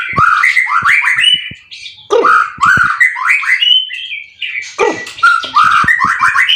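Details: Caged white-rumped shama in contest form, three moults, with cililin-filled material; repeated groups of sharp downslurred whistles and clicks, delivered in three bursts separated by short pauses.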